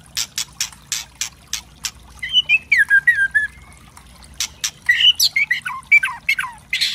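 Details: White-rumped shama singing a loud, varied song used as a tutor recording to provoke other birds: harsh crackling notes mixed with whistled phrases sliding down, then bright rising whistles and rapid chips.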